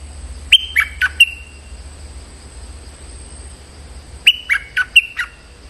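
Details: Stripe-throated bulbul calling out a territorial resident bird as a lure: two bursts of three to four bubbly, slurred chirps a few seconds apart, over a steady high insect-like hum.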